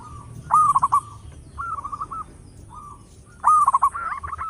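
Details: Local zebra dove with a loud voice, kept as a lure, alternates forceful stuttering bursts with short, even purring trills, the pattern heard twice.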